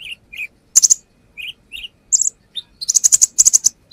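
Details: Brown-throated sunbird, known locally as konin, in steady full song used as a lure: paired mid-high chirps, then shrill bursts and a closing run of rapid, sharp high notes.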